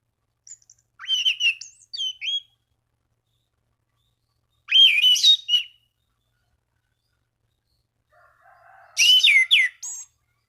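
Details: Orange-banded thrush singing to challenge rivals and spur other thrushes into song; three separate bursts of sweet, twisting whistles and trills spaced several seconds apart, a faint low hum just before the last.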